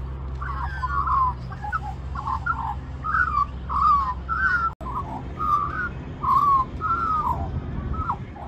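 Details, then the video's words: Small magpie in a reserve at Middleton Grange, New South Wales, Australia, singing for more mango: a steady series of fluty, sliding warbled phrases about once a second, with a brief dropout midway and low background rumble. "Magpie Sings For More Mango"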